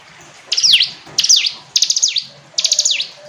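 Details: Four bright phrases from a hill prinia, each a fast ticking burst that drops into a falling whistle, spaced about two-thirds of a second apart over a faint background hiss.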